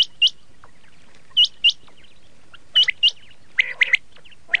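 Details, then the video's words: Common quail of a red shade giving paired, sharply hooked whistled notes at intervals, ending in a burst of rougher, buzzier squawks near the close. "Red shade common quail sound/ laal Batir ki awaz"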